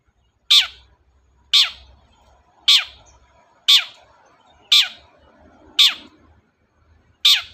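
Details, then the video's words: Long-tailed shrike in lively form, used to prompt a silent shrike to sing. Grating, downward-sliding calls repeat steadily roughly once a second, seven in all, over a faint low hum and soft murmuring. "BURUNG CENDET GACOR DOR, pancingan ampuh cendet gak mau bunyi"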